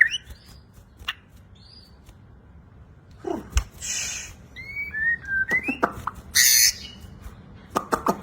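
White-rumped shama giving loud, varied song: clear slurred whistles, sharp rising notes and harsh rattling bursts, delivered in quick irregular phrases.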